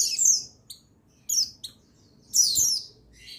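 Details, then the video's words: Buxtoni white-eye male, used to rouse idle white-eyes into singing: a few high, thin downslurred chirps in separate bursts, one longer rich note near the end, quiet room behind. "Buxtoni Menaikan Emosi Burung Pleci Bahan Agar Pleci Bustomi Gacor Cepat Bunyi"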